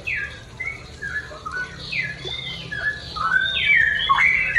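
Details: Straw-headed bulbul in 'ropel' morning song, used to teach pet birds: a quieter stream of quick, liquid whistles that swells toward the end into louder, gurgling phrases with sharp drops in pitch, low hum in background.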